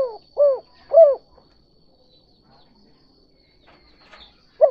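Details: Spotted dove giving the 'kuk 2' style lure call used to attract other doves: three short, arched, mellow coos in quick succession, a long pause, then a fourth coo starting at the end, over a faint steady high whine.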